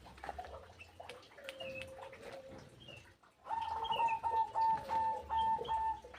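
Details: Aviary birds squabbling noisily while being fed: scattered short chirps and rustling at first, then a loud run of steady, level whistled notes repeated several times a second, with a fainter lower whistle beneath.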